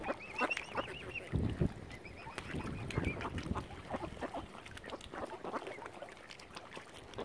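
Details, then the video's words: Hungry mother swan, angry, at Lough Neagh in Northern Ireland after algae destroyed usual food; a short burst of quavering nasal honks opens, then fades into splashing, low thumps and water noise. "ANGRY MOTHER SWAN. HUNGRY AS ALGAE HAS KILLED NORMAL FOOD SUPPLIES."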